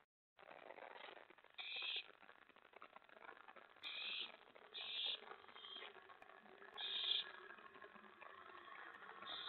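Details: Owl nest at night, May 24 2017, with mouse and rat brought to an owlet. Several rasping, hissing bursts, some doubled, recur irregularly about every two seconds against steady rustling.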